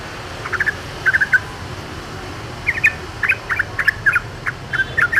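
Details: Wild yellow-vented bulbul singing: short bubbly clusters of liquid chirping notes, repeated in bursts, over steady background hiss and low rumble.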